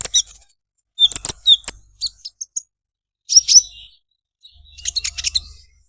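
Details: Olive-backed sunbird singing a unique, sweet 'krecek krecek' song in short bursts of very high chirps and quick slurred notes, separated by clear pauses.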